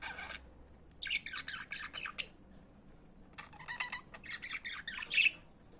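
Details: Pet budgerigars singing indoors: two long bouts of rapid, scratchy warbling chatter mixed with squawky notes, ending with a sharp squeak.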